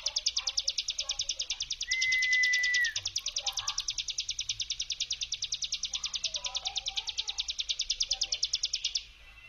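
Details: Hill prinia brem song used to lure and provoke other prinias. A long, even, rapid rattle of high buzzy pulses runs for about nine seconds, broken once by a thin steady whistle, with faint chirps behind.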